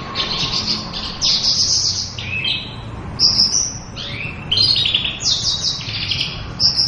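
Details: A female Oriental white-eye pours out ngeriwik song: high, drawn-out chirps and buzzy sweeping notes, some falling in pitch, in irregular phrases with short breaks.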